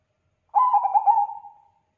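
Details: Singing Bangkok zebra dove, used as a lure to make other doves reply. It gives a single phrase: rapid bubbling stutters that slide into a long, softening coo lasting about a second.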